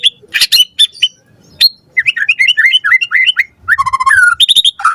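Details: White-rumped shama singing a loud, varied lure song to provoke an answer: sharp high notes, then a bubbling sequence of quick whistled phrases and a clear descending whistle, with brief pauses between bursts.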